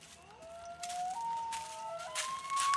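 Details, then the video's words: A loon at dusk gives long, clear, mournful tones that climb in steps to a higher held note, over bursts of crackling background noise. "LOON CALL"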